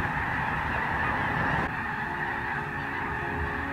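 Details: Large migrating flock of Snow Geese wintering in the San Joaquin River delta near Sacramento, California, flying up and landing with Canada geese nearby, a dense unbroken chorus of nasal honks and yelps with a steady roar beneath.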